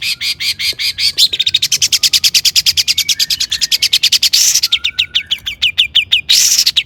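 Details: Vigorous long-tailed shrike song used as a lure for other shrikes; a very fast run of sharp chirps, over three per second, broken by two harsh scratchy bursts, with faint lower whistles beneath.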